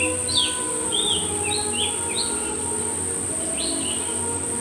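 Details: Myzomela calling, unedited recording from 25 December 2022: a run of short, high, sharp chirps, some rising and some falling, given in loose bursts over a steady insect hum and a constant high-pitched whine.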